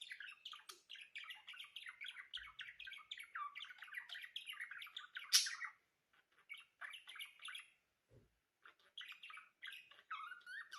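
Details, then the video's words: Budgerigars singing: a dense, continuous chatter of rapid chirps, squawks and warbled notes, with a brief sharp squawk near the middle and short pauses later. "صوت تغريد طيور البادجي"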